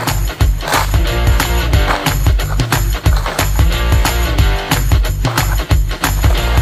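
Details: Loud music with guitar and a pounding drum kit, and no animal sounds audible.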